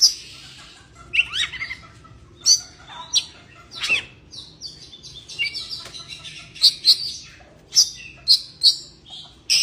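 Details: Oriental magpie-robin in breeding condition mixing slurred whistles and scratchy notes, then a run of loud, piercing high chirps repeated roughly twice a second.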